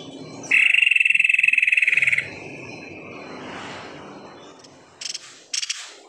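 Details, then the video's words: White-necked tepus song meant as a lure to get birds singing; a loud pulsed trill on a steady high pitch for under two seconds, followed by quiet background and two short buzzy bursts. "SUARA ASLI TEPUS LEHER PUTIH GACOR"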